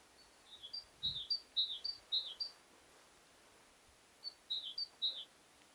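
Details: A yellowhammer singing in trees gives two phrases of quick, high, thin repeated notes, the first about two seconds long and the second shorter, over a quiet background.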